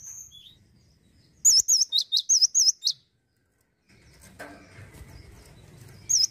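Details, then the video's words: Male cinereous tit, 'gacor' nonstop singer, gives a fast string of about eight high whistles, looping slurs alternating with quick downward flicks, then a gap with rustling, clattering background noise before a single note returns. "GACOR TANPA PEMANIS BUATAN,GELATIK BATU JANTAN LOSSDOL"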